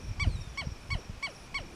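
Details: Southern lapwing mother alarm call as a person approached her chick at a reservoir's edge: five harsh, metallic, slightly falling notes, about three per second, over low wind rumble; the chick then froze quietly.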